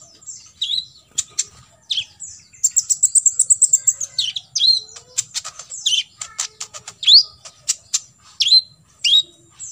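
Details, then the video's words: Olive-backed sunbird fill-in shots for contest birds to copy: a very high, rapid stuttering trill, then a mix of sharp swept chirps and clicky notes, dense and varied throughout. "KOLIBRI NINJA (KONIN) FULL TEMBAKAN ISIAN"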